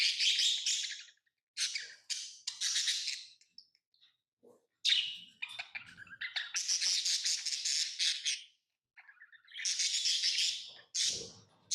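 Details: Pet lovebirds chirping in scattered bouts: short harsh squeaks and longer buzzy chattering runs separated by silences, with occasional soft low rustling.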